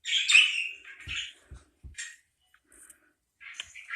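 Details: Parakeet giving a harsh, buzzy squawk followed by short scratchy chirps with gaps of silence and a few soft low taps.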